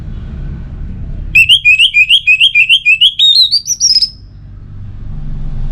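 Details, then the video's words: Orange-headed thrush giving a relaxed song phrase: a fast run of about a dozen short, warbled whistled notes that climbs steadily higher over three seconds, with faint low background hum. "Anis Merah Bunyi Santai"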